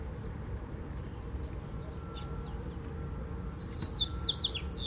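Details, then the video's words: Rusty-collared seedeater perched on a wire fence, singing: a faint run of high notes at first, then a louder, quick burst of thin, descending chirps and twitters near the end, over a steady low background hum. "Coleiro Cantando na Cerca de Arame - Coleiro Mateiro!!!"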